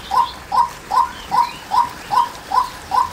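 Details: Female white-breasted waterhen calling: a steady series of short, rising-then-falling mid-pitched notes, about two and a half per second, eight notes in all, over a quiet background.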